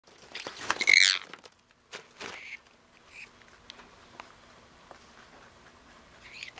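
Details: A pet sun conure gives one loud, harsh, shrill screech lasting about half a second, followed by faint clicks and crunching sounds in a quiet room.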